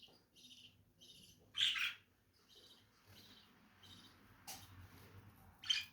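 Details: Lovebird chatter: repeated short, buzzy high twitters broken by a couple of loud, harsh shrieks, with a low background hum.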